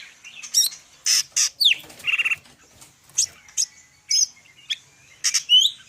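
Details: Medan greater green leafbird (cucak ijo) delivering a lively varied song: loud buzzy bursts, a fast rattling trill, then scattered sharp downslurred and upslurred whistles with brief gaps.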